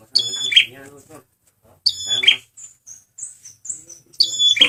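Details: Male red prinia (prenjak merah) singing as a lure: high whistle-and-buzz phrases over a low harmonic voice-like sound, with thin high chirps in between.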